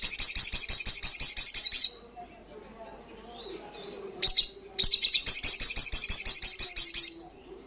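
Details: Olive-backed sunbird (sogok ontong) delivering its fast ngalas song: a shrill, rapid trill, then a pause with faint soft notes and one sharp chip, then another long high-pitched rattling trill.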